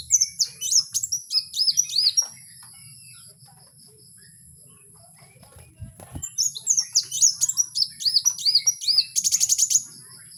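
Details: Free-living kowul pouring out a high twittering song of repeated arched whistles, a quiet gap with a low thud, then another burst ending in a rapid buzzy trill.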